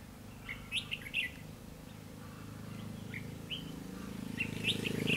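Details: Red-whiskered bulbul decoy singing during bird trapping on 21 December 2015; scattered bright chirps and short whistled phrases in irregular bursts, over a steady low mechanical hum.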